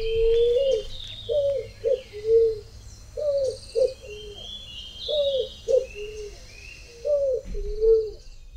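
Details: Picazuro pigeon (Patagioenas picazuro) in rural São Miguel do Iguaçu, Paraná, Brazil, sings deep, hollow coos in phrased groups of three to four notes, repeated about every two seconds, with faint higher bird chirps behind.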